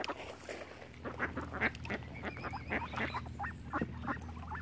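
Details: Ducks gathered on Lough Neagh at Oxford Island, Ireland, around a swan family, make a busy run of harsh, irregular quacks. A warbling whistle drifts through the middle, with low rumbling background.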